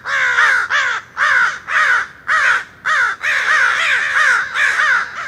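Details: Loud, harsh caws from a backyard murder of crows, recorded through a window: about nine hoarse calls in quick succession with short gaps between them, close and dominant throughout.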